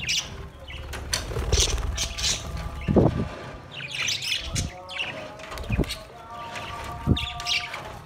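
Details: Several budgerigars eating soft food together on 3 October 2023, giving short high chirps in clusters, with some low knocking thumps and faint background hum between calls.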